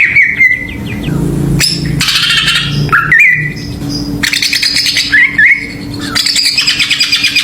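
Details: Greater green leafbird song used as a lure to provoke other birds: sweet whistled phrases near the middle register alternate with dense buzzy, chattering bursts, over a low steady hum.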